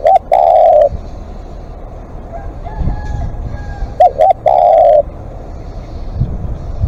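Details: Spotted dove used as a live decoy, calling at length: two phrases of a double short coo and a long held coo, with a faint drawn-out call from another bird in the distance between them.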